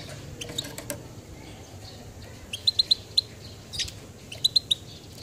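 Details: Goldfinch giving short, sharp, high chirps, mostly in loose clusters of two to four quick notes with pauses between, over a low background hum.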